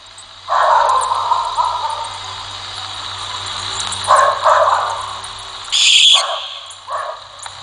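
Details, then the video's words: Barn owl in Brazil giving its famous scream, a call tied to legends in the countryside: harsh, hissing screeches, one long rasping one and then shorter bursts, the last higher and thinner, over a faint steady hum. "fiquem agora com o barulho da rasga mortalha"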